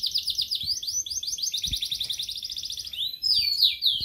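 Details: A sulingan laut (tledekan laut) songbird, kept only three days, starts singing openly: a bright, high, fast run of repeated chirping notes ending in sharper rising and falling whistles, faint low thumps beneath.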